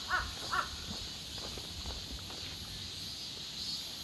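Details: During an August daily walk with a dog in Busan, a bird gives two loud, harsh caws in quick succession at the start, followed by crunching footsteps beneath a continuous shrill insect chorus.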